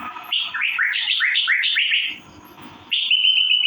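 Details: Rapid, bouncing chirps from an Asian fairy-bluebird (cucak biru): short falling notes in a fast string, then a quiet pause, then a steadier, sustained note to finish.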